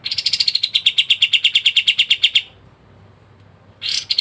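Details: Pied triller (kapas tembak) delivering packed 'ngebren' song: about twenty fast high notes slipping slightly lower over two seconds, a quiet gap, then a new burst beginning.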